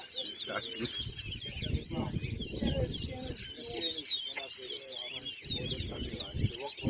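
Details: Towa towa (large-billed seed-finch) contesting a bird race in Anna Regina park, Essequibo, Guyana, 2023: a busy stream of chirped and warbled notes, partly masked by a dense crowd of talking spectators.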